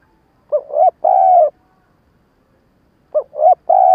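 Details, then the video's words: Stuttering lure call of a captive spotted dove used to attract wild doves: a hiccuping double coo then a long hollow coo, repeated after a pause of about a second and a half. "Tiếng cu gáy mồi cà lăm gù - gáy - thúc kích bổi nhanh nổi"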